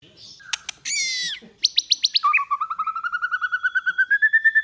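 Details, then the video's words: White-rumped shama, a training recording to stimulate singing in the 'kéo thuốc lào' style with string-like voice: harsh buzzy burst, a fast series of high clicks, then a long trill of rapid notes slowly rising in pitch, about three per second. "Luyện chòe lửa hót hay mỗi ngày ❣ kéo thuốc lào ❣ hót giọng dây"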